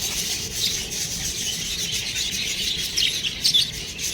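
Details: Baby budgerigars keep up a steady, dense wash of high, scratchy chirps and twitters from several birds at once, with a few sharper squeaks standing out near the end.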